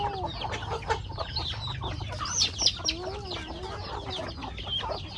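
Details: Hungry backyard chickens eating corn on a farmyard, several birds clucking and uttering drawn-out, wavering calls that overlap, with pecking taps and a steady low background rumble.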